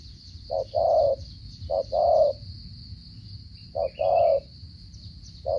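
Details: Spotted dove singing in the Vietnamese 'gù cà lăm' stuttering coo style, from Cà Mau: low mellow coos, each phrase a short note followed by a longer hollow one, repeated three times with pauses, over a steady high hiss.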